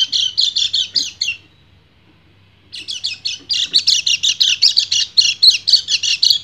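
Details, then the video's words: Male white-eye, kecial kuning, sings an ngebren song to summon a female in breeding condition. A fast run of high, buzzy notes breaks off, then after a short silence it resumes, quicker and louder. "PLECI GACOR NGEBREN - KECIAL KUNING BIRAHI MEMANGGIL BETINA"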